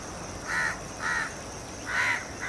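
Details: House crows of the subspecies protegatus at a dusk roost in Colombo, Sri Lanka, late February: four harsh nasal caws spaced about half a second apart, over a steady background hum of city traffic.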